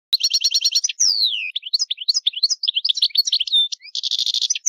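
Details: Goldfinch calling loudly, said to defend territory and warn intruders: a rapid buzzy trill of repeated notes, then a long descending whistle and a run of varied twittering, sharp chirps, ending in a dense buzzy burst.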